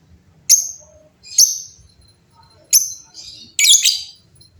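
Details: Noisy lovebirds answering each other with sharp, high, descending chirps about once per second, ending in a denser harsh chattering burst; quiet low rumble in the background.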